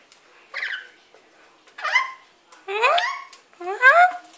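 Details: A pet lory playing and bathing in a wet cloth in a sink indoors gives four squeaky, nasal, harmonic calls about one per second, some rising then dropping, against a quiet background.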